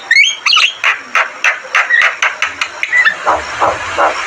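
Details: Javan myna from a tutor recording: a couple of squeaky whistles, then a steady series of harsh, rasping chack notes repeated about three times a second.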